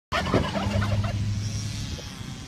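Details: A wild turkey at Berkeley marina gives a quick burst of rough, gurgling notes lasting about a second, over a low steady hum like a running engine.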